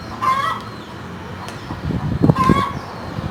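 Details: A hen cackles in two harmonic squawks with a rising inflection, separated by a pause, with dull low thumps between them.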